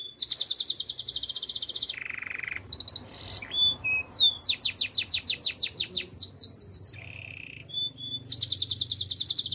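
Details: Training song of a Spanish Timbrado canary: a rapid high metallic rattle, a low buzzing trill, short whistles, then a long series of sweeping repeated notes and another fast rattle.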